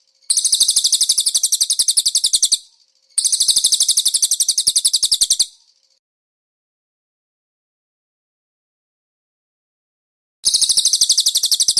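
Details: Training master of konin song with cililin fill-in: two fast, high, rattling trills of about two seconds each, then a long silence of around five seconds before another trill begins.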